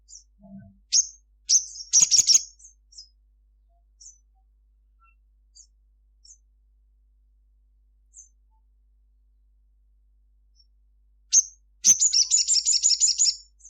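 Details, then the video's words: A sunbird in daytime gives scattered, very high, thin chirps, then closes with a fast, sparkling twitter; a couple of sharp knocks early on and near the end. "Kicau sunbird Sogon gacor cruit cruit"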